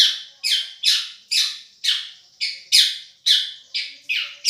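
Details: Long-tailed shrike, Madura type, tutoring song: about ten loud, harsh, descending rasping notes spaced roughly half a second apart, with brief faint chirps between.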